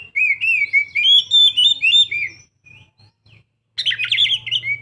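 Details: Young Oriental magpie-robin singing a rich, varied run of clear whistled and warbled notes, wavering up and down, pausing briefly, then bursting into a denser chattering phrase; a low steady hum underneath.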